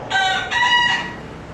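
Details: Single crow of a bekisar chicken, called a future contest champion: a bright, ringing two-part call with a brief break in the middle, lasting about one second, then fading into low background noise.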